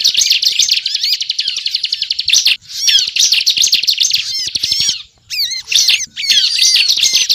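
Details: Bar-winged prinia (ciblek) in 'gacor ngebren' song used to attract birds for trapping: bursts of shrill rapid trills and twisting chirps separated by brief silences, the phrases restarting after short breaks.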